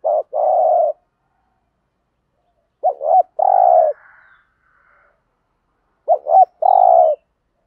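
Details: Lure song of a spotted dove in standard 'thúc gù' style, played to stir wild doves into cooing: the tail of a long coo, then two phrases of a rapid double note and a drawn-out mellow coo separated by silent gaps.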